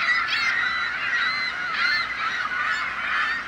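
Many gulls call at once in a loud, continuous chorus of harsh, nasal, overlapping squawks with a few higher yelps rising above the din.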